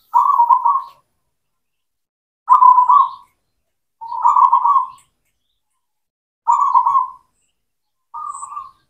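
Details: Zebra dove of local stock, cemani type, singing to stimulate quiet or mute doves: five purring, trilled coo phrases, each under a second, spaced about one and a half to two seconds apart.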